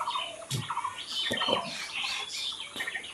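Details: Overlapping bird calls in nature, dense and loud: high chirps and twitters mixed with mid-pitched repeated notes and a few sharp clicks, all crowded together in a short burst.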